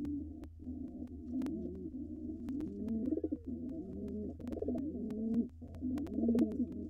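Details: A wild pigeon pair courts in a nest box before laying, with the male cooing: dense, overlapping, throaty coos that run together almost continuously. A low hum and scattered clicks sit beneath them.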